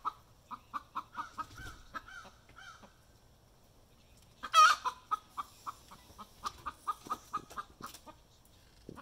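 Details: Hen singing her egg song right after being caught laying an egg: a run of short, evenly spaced clucks, then one loud harsh squawk, followed by another quickening series of clipped clucks.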